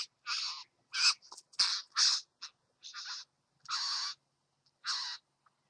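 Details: Satin bowerbird visiting a bower: a series of harsh, buzzy, broadband rasping notes, about eight bursts in under six seconds, irregularly spaced, some short and clipped, others drawn out, with a quiet background.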